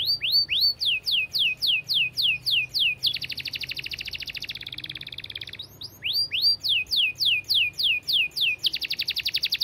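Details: Canary song in the fast, dense 'gacor speed rapat' style, long and clear: high rising swept notes repeated rapidly, broken by a rapid buzzy rattling trill, then the swept notes return.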